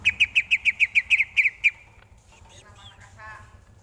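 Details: Greater green leafbird tutor song for training: a fast, even series of about ten ringing notes, followed by a quieter stretch of faint, murmured softer sounds.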